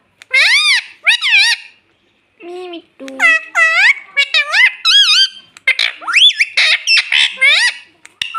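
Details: Pet rose-ringed parakeet talking, repeating "mummy" and "mitthu": rapid strings of high harmonic syllables with arching pitch, short gaps, and a lower drawn-out note in between.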